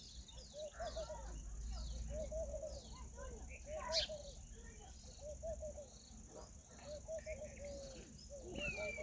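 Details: Indian peafowl, a peahen, calling outdoors: short arched, nasal mid-pitched notes in tight clusters of two to four, the clusters coming roughly every two seconds, over chirping from other birds and a steady high whine.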